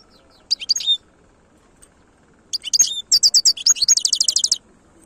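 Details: European goldfinch, khelwi song style: a short burst of high, liquid twitters, a pause, then a longer phrase of bright chirps running into a quick repeated trill, all high-pitched with little background noise.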